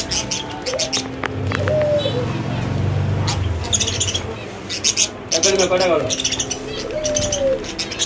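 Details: Zebra finches in a breeding setup sing buzzy, nasal notes and short harmonic beeps, with low cooing or murmuring beneath.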